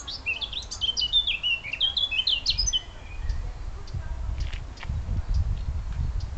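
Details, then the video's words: Wild birds twittering on the outskirts of Munich, Bavaria, Germany: a quick burst of high, bright chirping notes rising and falling for about three seconds, then faint scattered chirps over low rumbling background noise. "Bavarian Bird Song"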